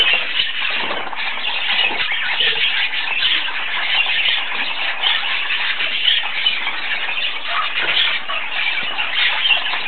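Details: Young parakeets begging to be fed, giving a steady wall of shrill, grating squeals that overlap throughout, with occasional quiet human talk.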